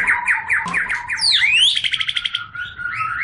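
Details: Green leafbird song used to train young cagebirds: varied loud whistles and chirps, sweeping rising slurs, then a quick rattling series of clipped notes ending in lower warbles.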